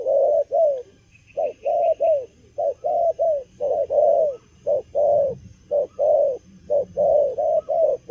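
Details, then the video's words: Spotted dove, young and wild-caught, cooing eagerly in the stuttering cà lăm lỡ manner during moult, a rapid sequence of mellow hoots in uneven twos and threes, with a faint high chirping in the background early on. "Bổi tơ gù cà lăm lỡ, đang mùa thay long mà quá hăng"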